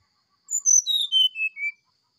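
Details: Oriental magpie-robin whistling in the morning in the sulingan style, one long pure phrase gliding steadily down through several sustained flute-like notes.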